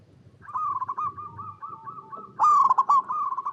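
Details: Local zebra dove cooing to prompt other doves to sing: a continuous run of rolling, bubbly coos, then a loud phrase of a rising note and quick stammering notes, with more coos trailing after it.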